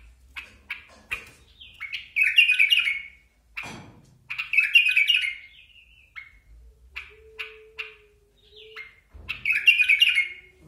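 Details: Bulbuls from Basra giving bubbly, warbled phrases of quick chirped notes. Bursts of about a second recur every few seconds with short single chirps in between, in an otherwise quiet setting with a faint steady hum midway.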